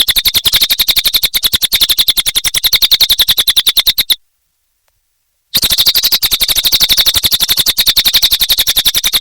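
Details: High, rattling cililin song of rapid, even pulses, roughly ten per second, running four seconds, then a brief pause before the same fast pulsing trill resumes.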